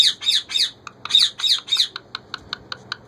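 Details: Indian ringneck parakeet hen repeating "roti dedo" to ask for bread, in a small room: two harsh, buzzy multi-syllable phrases in quick succession, then a run of soft, evenly spaced clicks.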